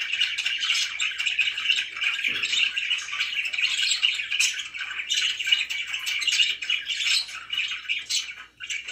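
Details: Pet budgerigars indoors produce unbroken rapid chatter, a mix of grating squawks and thin chirps that rise and fall in loudness over nine seconds.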